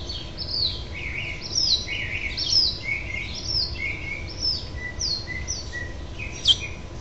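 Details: House finches at a nest on 12 June 2007, as the last young bird fledges and a parent flies in to urge it on, give short, bright chirps that slur up and down, roughly one a second, over a low steady hum.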